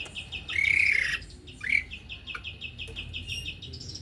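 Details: Male white-rumped shama in rapid pentet-style singing: a harsh buzzy drawn-out note and a shorter rasp over a continuous stream of quick high chips.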